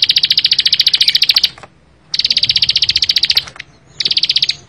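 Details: Bar-winged prinia delivering three separate bursts of fast, high, chattering notes in 'full bren' style, each lasting about one to one and a half seconds, with short silent gaps between them.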